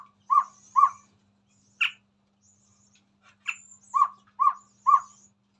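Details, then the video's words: Chestnut-rumped babbler singing actively in front of a phone: low, hollow hooting notes given singly and in pairs, mixed with a few sharper higher squeaky calls, in an otherwise quiet setting. "Burung Tepus Tunggir merah Gacor"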